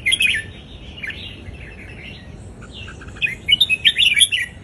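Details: Caged red-whiskered bulbul, Indonesian line, delivering southern folk style song meant to train young birds; a sharp chirpy opening, softer warbling, then a rapid rippling run of bright notes.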